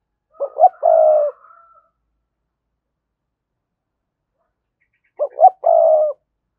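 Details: Spotted dove decoy calling to set other doves cooing: two matching phrases about four and a half seconds apart, each two clipped low hoots then a sustained breathy coo, with a faint trailing tone after the first.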